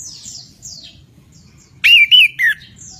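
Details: Anis kembang, or Orange-headed thrush, singing gacor ngeroll: three strong whistled notes in quick succession near the end, each wavering and slurred, preceded by softer high descending chirps from other birds over low background hum.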